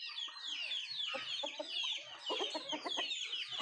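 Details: Nattu kozhi chickens at their food; busy high chirping overlaid with short, throaty low clucks and pecking taps, all close and loud.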